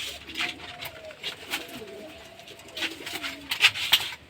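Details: A male domestic pigeon gives low, rolling coos, a courtship call begun even before a female from a single cage was placed with him, growing stronger as she is brought close.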